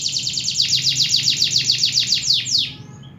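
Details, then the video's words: Local canary (kenari lokal) singing a rapid trill of about fifteen repeated descending sweeps, roughly six per second, bright and high, ending abruptly after two and a half seconds, with a faint low hum beneath. "Kenari Lokal Super -Local Super Canary"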